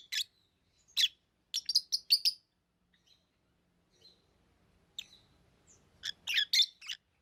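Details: Pet lovebirds give sharp, shrill chirps in scattered clusters, several rapid notes in a row, then a quiet stretch with a faint low rustle before another dense burst of chirping.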